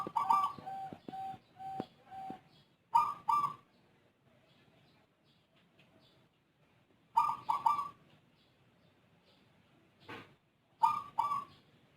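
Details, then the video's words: Zebra dove with an unusual voice, unlike local or Bangkok birds, a keen and long-lasting caller often heard before dawn: a quick run of short coos, then deep ringing coo phrases repeated every four seconds with quiet gaps between. "Perkutut Rondosemoyo suara aneh rajin manggung durasi panjang"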